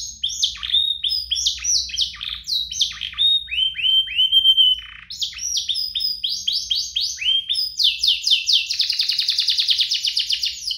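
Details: Singing canary used as a lure for other canaries: repeated descending whistled sweeps in bursts, then a long fast rattling trill near the end.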